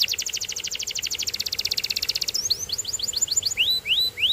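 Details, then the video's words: Canary singing: a fast, even trill of rapidly repeated high notes for about two seconds, then a series of separate rising, slurred whistles, clear and loud. "Get Ready To Be Amazed By The Incredible Sound Of This Special Canary"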